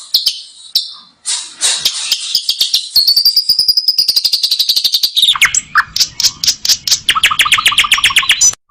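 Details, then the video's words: Asian pied starling in a tutoring recording full of fancy fills, giving a long, high, sweeping buzzy warble, then a fast run of sharp repeated chips with a lower echoing note beneath, about four per second. "masteran jalak suren 1 menit langsung ikut bunyi ful isian mewah"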